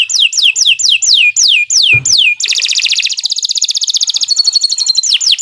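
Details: Canary song for training other birds: a row of loud, evenly repeated downward-sweeping whistles, a brief thump, then a fast buzzy trill and a sustained whistled tone before more sweeps.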